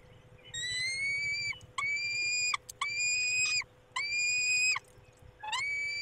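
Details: Peregrine falcon nest in Poland, male attending the females, May evening: a series of evenly pitched, rasping wail calls, each close to a second long, repeated roughly every second with brief pauses.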